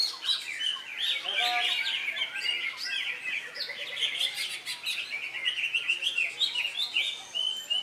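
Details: Greater green leafbird competing at a songbird contest in Indonesia on a Saturday, freshly through its moult and winning twice. It gives a dense, continuous run of rapid chirps and twittering slurred notes, loud and unbroken throughout.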